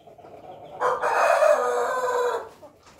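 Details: A Pelung rooster gives a long, loud, sustained crow with a rich, wavering tone, described as a "laughing" crow.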